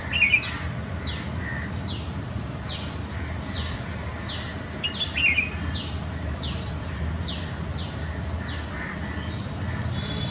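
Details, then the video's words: Pair of Red-whiskered bulbuls in Kolkata, West Bengal, India, on April 10, 2020, calling a steady run of high, down-slurred chirps under a second apart, with a few brighter notes, over a constant low rumble. "Red Whiskered Bulbul"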